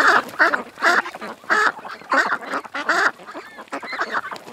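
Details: Ducks at a creek quack loudly in clear separate bursts, about six strong nasal quacks in the first three seconds followed by quieter, fainter calls.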